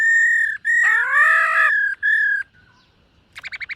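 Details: Silver-eared laughingthrush in morning voice training, giving long level whistles broken by a rich, harsh rising phrase, then a short burst of quick rattling notes at the end.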